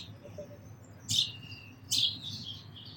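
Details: Sparrow giving two drawn-out, harsh chirps with trailing twitter, about a second apart, then a third beginning, over soft low noise.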